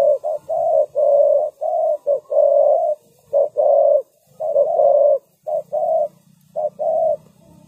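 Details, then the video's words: Decoy spotted dove kept for trapping wild birds, giving soft hollow coos in clustered pairs of a brief note and a longer one. The coos come in quick succession with brief gaps, over a low background drone. "chim cu mồi gáy gọi bổi"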